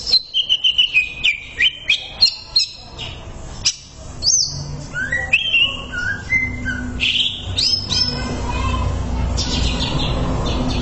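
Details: Greater green leafbird master song for training, opening with a rapid run of clear whistled notes, then sweeping slurs and varied phrases, fading into a steady hiss and low hum.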